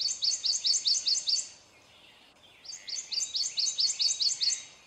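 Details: Male prothonotary warbler song: two loud bursts of about seven high, upslurred sweet notes in quick, even succession, separated by a short pause, in a quiet setting.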